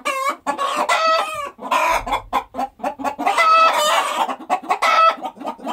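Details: Farm chickens making laying-egg noise, a dense stream of raucous squawks and staccato clucks, long strained cackles rising above quick repeated notes, with a brief low thump in the background.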